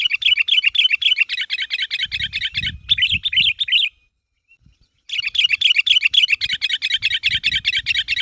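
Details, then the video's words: Kutilang, the sooty-headed bulbul, in lively calling meant to get others to respond: dense, rapid chattering chirps with a faint low rumble, a gap, then another continuous fast run. "Suara Burung Kutilang Gacor Memanggil Temannya Agar Bunyi"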